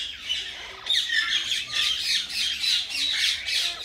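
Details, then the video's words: Tamed pet common myna talking: after a soft quiet opening, a loud grating squawking chatter starts abruptly and pulses in rhythmic bursts almost twice a second to the end. "Common Myna Talking"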